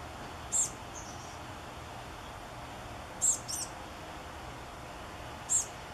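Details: Sparse begging from chestnut-backed chickadee nestlings in a gourd nest on the morning before they fledge: single very high, thin squeaks several seconds apart, one of them a quick double note, over low steady noise.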